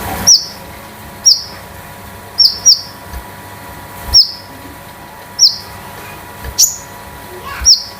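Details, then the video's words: Caged Konin kept at home, used as a tutor and lure bird for others. Single sharp, high, downslurred chirps repeat about once every second, evenly spaced over a quiet background hum. "KONIN DAMER METALIK LEPAS TROTOL || BURUNG MASTERAN || PANCINGAN OMBYOKAN KONIN"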